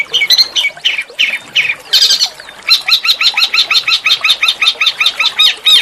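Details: Small songbird master song aimed at provoking oriental magpie-robin singing, rough and melodious: scratchy harsh notes and a noisy burst, then a long, evenly spaced series of high, ringing repeated notes.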